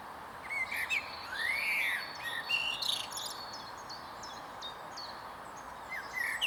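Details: Common blackbird singing from a tall tree stump on an estate on 22 April; a low, mellow arching whistled phrase rises and falls near the start, while several other birds chirp and trill in the background.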